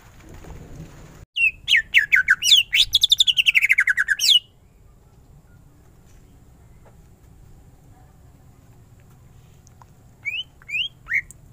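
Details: Greater green leafbird in lively full song: a burst of rapid whistled and chattering phrases sweeping down from high pitch, then a pause and a short series of three or four rising chirps near the end.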